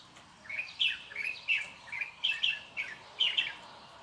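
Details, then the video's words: Bird repeats loud, bright chirps in quick clusters, each a sharp high note sometimes doubled, spaced about a third to half second apart, with little else audible. "홀리는 새소리"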